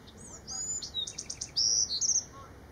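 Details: A Bewick's wren at Manresa State Beach, Santa Cruz county, California, on 5 September 2017, sings a quick, high phrase: thin opening notes, a fast buzzy four-note trill, then bright slurred whistles to finish.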